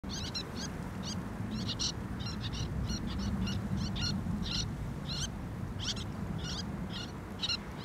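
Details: A common sandpiper in Thessaloniki, Greece, in April 2024 gives high, thin piping notes in quick bursts of two or three, repeated steadily over a low rushing background of water or wind.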